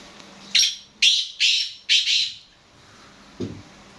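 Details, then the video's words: Kala teetar, the black francolin, giving four loud grating notes in rapid series, each a short scratchy burst. Silence follows, then a dull low knock near the end. "Black Francolin Calling"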